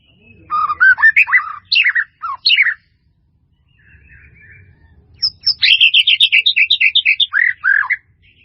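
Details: White-rumped shama in full varied song as a training recording: rich slurred whistles and sweeping notes, a short silence, then a long rapid run of bright repeated notes, about four per second.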